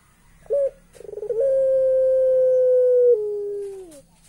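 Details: Puter pelung dove giving its eerie laughing call. A short note is followed by a stuttering run of quick pulses that swells into one long, steady, low hooting tone, which dips and fades at the end.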